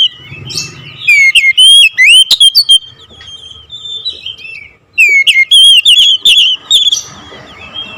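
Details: Oriental magpie-robin song with two energetic bursts of loud, swooping whistles and sharp clicks, separated by a quieter stretch of soft notes and faint low noise.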